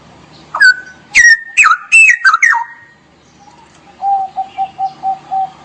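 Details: Straw-headed bulbul in 'gacor' full song, 'ngerople' style: loud, rich, liquid warbled phrases with sweeping rising and falling notes, followed by a steady series of about eight short, lower, evenly spaced whistled notes.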